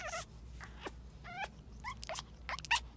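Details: African grey parrot, a female showing mating behaviour on the day she laid an egg, gives a loud opening squawk then quick warbling whistles and sharp clicks, over a low droning hum.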